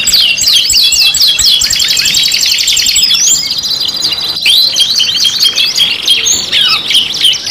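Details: Canary song from a combined five-in-one kenari lure recording: fast buzzy rolls and chattering trills, bright rising whistles, nonstop with a brief break in the middle.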